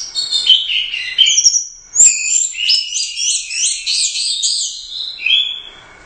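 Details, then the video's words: Competition orange-headed thrush, first-place Royal Cup winner, in full 'gacor teler doyong' song: fast run of high whistled and chattering notes, a loud rising whistle, then a string of repeated bright phrases. "Suara Burung Anis Merah | GACOR Teler Doyong Juara I Royal Cup"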